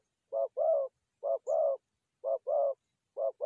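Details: Forest dove coos used in trapping: paired low notes, a clipped first coo and a sustained second, repeating evenly about once a second.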